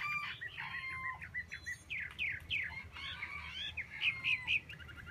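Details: Hwamei song of varied whistled phrases and quick chirps, somewhat softer and choppier, with upslurred and downslurred notes following in fast succession over a steady low rumble.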